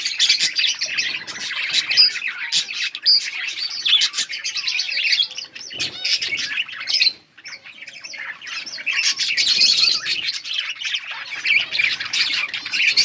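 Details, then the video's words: Yellow budgies chattering continuously: thin, buzzy warbles and rapid chips in a dense flock chorus, dropping briefly to a near-lull midway before resuming at full energy. "Budgies sounds for lonely birds Beautiful yellow budgies chirping sounds"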